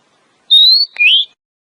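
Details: Female oriental magpie-robin, played to make a male sing and raise his breeding urge; two drawn-out whistles, the first steady and slightly rising, the second lower and sweeping upward, with a faint click between them.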